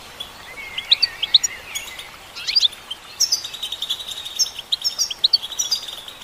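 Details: Female goldfinch in song, starting with scattered chirps and a slurred buzzy note, then breaking into a dense, fast, metallic twittering stream of high notes.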